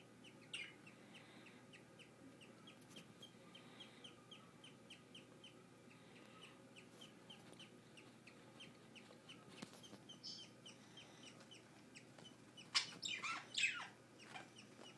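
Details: English budgerigar chicks, aged one to ten days, give soft, rapid chirps, then a burst of louder, raspy squawks near the end.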